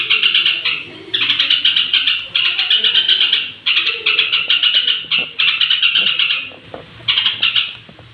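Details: Straw-headed bulbul (trucuk) before bedtime, singing to stir up other bulbuls; long runs of rapid, rich chattering notes in loud phrases of about one second, broken by short gaps.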